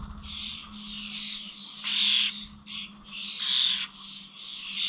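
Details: Common starlings at village bird feeders in Corby, recorded 21 November: overlapping harsh, hissing squawks and rasping chatter in loud bursts, several birds calling together with a faint steady hum underneath.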